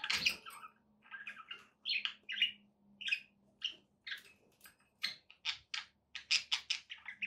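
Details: A budgie chatters in a steady run of short squeaky and buzzy chirps, spaced roughly every quarter second, over a low steady hum.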